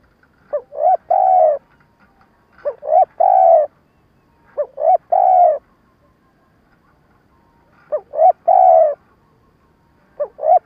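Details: Spotted dove decoy calling in the stuttering coo style that prompts wild doves to answer for trapping; five low three-note phrases of quick rising notes and a drawn coo, over a faint background hiss.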